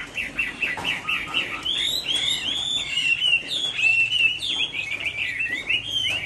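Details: A caged Chinese hwamei in Hai Phong, Vietnam, sings through a rainy afternoon with a dense, varied warble of whistles and trills, lively and unbroken.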